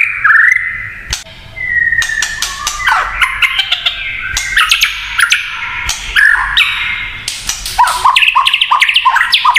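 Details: White-rumped shama delivering a kretekan song that provokes other shamas: a rising whistle, a long level note, then a dense jumble of harsh chattering, clicks and rapid twittering notes.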